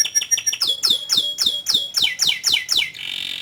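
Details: Canary in long, vigorous song: a fast series of sharp downslurred chirps repeated about three to four per second, shifting midway to higher sweeping notes, then ending in a dense buzzy trill.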